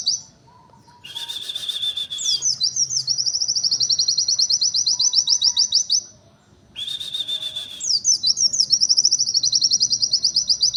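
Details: White-eye singing a unique 'nembak' phrase twice: a short buzzy burst followed by quick high descending chirps and a long, rapid, evenly repeated ticking trill about three to four seconds long.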